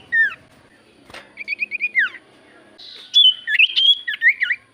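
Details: Javan white-eye lure song meant to draw replies from quiet birds: a downward whistle, a click, a string of short slurred notes, then a buzzy burst and rapid wavering whistled phrases.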